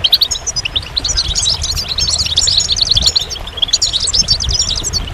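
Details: Goldfinch song: a dense, continuous run of rapid high twittering and tinkling notes, liquid and jumbled, with little pause throughout, over a faint low rumble in the background.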